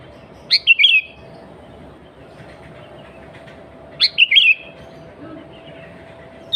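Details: Sooty-headed bulbul in energetic natural song, free of other birds' phrases, used as a lure to draw wild bulbuls; two short bursts of loud, quickly falling whistled notes about three seconds apart, with a faint steady hum behind.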